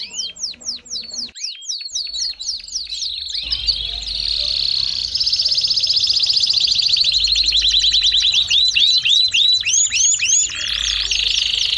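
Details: Belgian canary song starting with quick repeated downward-sweeping chips, then a long, smooth high rolling trill, followed by looping slurred notes and a final buzzy phrase.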